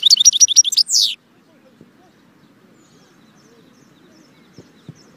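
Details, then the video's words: Brief goldfinch song burst: a quick string of sharp, high twittered chirps closing with a drawn-out buzzy note, then near silence with a few faint clicks. "saka kuşu (Arnavut Şevket)"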